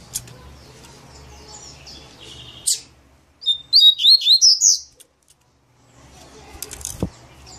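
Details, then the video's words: Double-collared seedeater delivering its maninho song: soft high notes and a sharp click, then a loud, rapid phrase of about six bright, bouncing whistled notes, ending in quiet with faint chips. "COLEIRO MANINHO"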